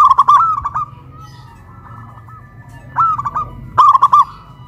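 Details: Caged local zebra doves raised on a pole in Kuningan, West Java, Indonesia, a big-voiced and a crystal-voiced bird: quick tumbling coo phrases open and close, with a fainter soft series of coos in between.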